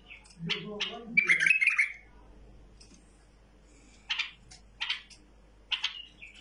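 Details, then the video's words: Tame bulbul giving sharp, buzzy chirps, with a dense burst of warbled notes near the start and short single chirps spaced about a second apart later. A low human voice murmurs underneath in the opening seconds. "بلبل مطوعه"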